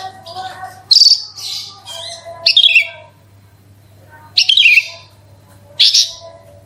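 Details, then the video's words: Javan bush lark song meant to trigger singing in other larks: scattered high chirps and buzzy bursts separated by pauses, with fainter lower tones and a steady low hum beneath. "BRANJANGAN ANDA KURANG GACOR PANCING SUARA INI PASTI LANGSUNG IKUT BERKICAU"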